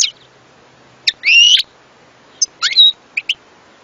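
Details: European goldfinch producing a nasal, buzzy drawn note, then sharp slurred chirps and short high clicks in a lively, uneven phrase.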